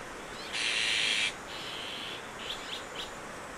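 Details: Azure-winged magpie raising chicks at Maeji-ri, Wonju, Korea: one harsh, buzzy rasp of under a second, then a fainter drawn-out rasp and a few short soft notes over quiet background hiss.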